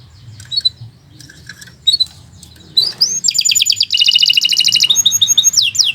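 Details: Canary song, long and energetic, used as tutor singing: scattered soft chirps at first, then from the midpoint loud rapid high trills in dense pulsed bursts, with changing trill types and a low background hum.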